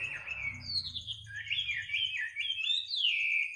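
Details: Bird singing at midnight: a run of clear whistled notes that sweep up and down, warbling and slurring from phrase to phrase, over a steady thin high-pitched tone and faint low rumble.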